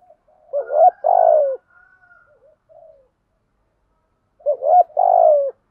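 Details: Spotted dove decoy call meant to make other doves coo, male and female voices; two loud phrases about four seconds apart, each a short hoot pair and a long downward coo, with soft murmurs between.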